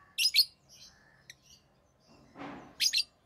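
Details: Pet Rosy-faced lovebirds, an orange-faced green and a red-headed green, give harsh, shrill double chirps, a pair at the start and another pair near the end, with a brief rustling burst and a few faint squeaks between.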